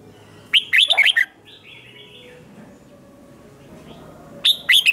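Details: Red-whiskered bulbul singing in competition style to stimulate newly caught bulbuls. Two short phrases of rapid, warbled whistles are split by a gap of about three seconds holding a soft slurred call.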